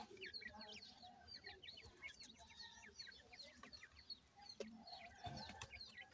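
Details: Captive partridge chicks, called teetar, with Iranian pheasant chicks during feeding: a busy flock of shrill, rapid peeps and short slurred whistles overlapping constantly, with a few dull knocks and low thuds.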